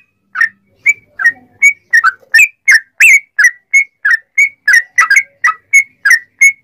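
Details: Sooty-headed bulbul giving a string of lively whistles, used as a lure for other bulbuls: crisp, varied notes, some doubled, repeated about three times per second, in clean surroundings.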